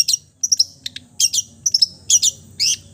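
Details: Long-tailed shrike imitating other bird species in a dense outpouring of high, chattering, twittering notes and short buzzy phrases delivered in quick succession.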